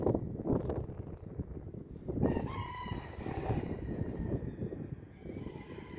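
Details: Early morning rooster in Attard, Malta, August 22, 2022, giving a single harmonic crow of about a second, partly masked by loud low-pitched background rumble and knocking noises.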